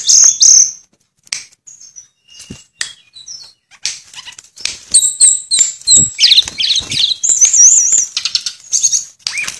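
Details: Sulingan (Tledekan) opening with a high whistle, then sparse clicks and taps, building into a continuous string of warbled, wavering high whistles and trills in its flute-like style.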